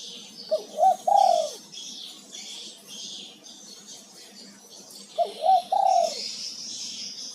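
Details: Male spotted dove (tekukur) calling twice, each phrase two short soft coos leading into a longer mellow coo, with a continuous high insect hiss behind.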